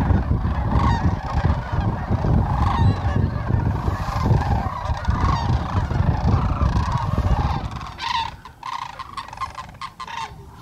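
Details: Flock of sandhill cranes at Whitewater Draw, McNeal, Arizona, recorded January 19, 2023; a massed chorus of rattling trumpet calls with a loud low rumble that fades after about eight seconds, leaving clearer overlapping calls.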